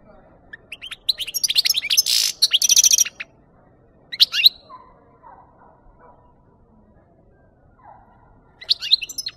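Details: European goldfinch song from a recording used to lure birds for capture: a dense, buzzy twittering run of high notes, a few lower slurred calls, then renewed bright twittering after quiet gaps.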